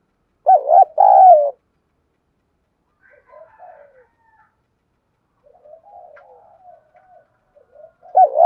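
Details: Spotted dove, Thổ-style voice, decoy bird answering, calling coos: a two-part wavering coo, long stretches of quiet low warbling murmurs, then the start of another coo.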